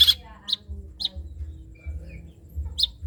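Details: Long-tailed shrike giving trotol-style song used to train other birds: a few short, bright high chips at uneven intervals over a steady low background hum.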